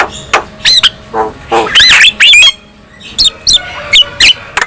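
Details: A black-winged myna sings in short bursts, harsh rasping squawks and nasal twisting whistles separated by brief pauses, ending with a few sharp clipped notes; the song is said to make other black-winged mynas sing.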